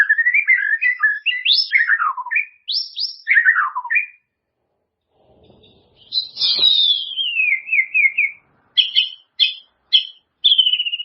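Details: White-rumped shama song meant to train caged birds: rich whistled phrases with rising and falling sweeps, a pause, then a long descending slur and short high repeated notes.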